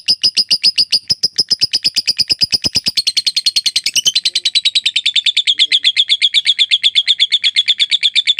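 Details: Lovebird in extended ngekek chattering, a tutor recording for other birds: continuous sharp, squeaky notes repeated rapidly, starting harsh and broad, then settling into a cleaner, slightly lower steady trill.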